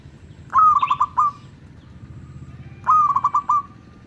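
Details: Zebra dove of a local strain, sung to attract other zebra doves: two mellow cooing phrases, each a long soft note breaking into quick rolling beats, with a faint high chirp between.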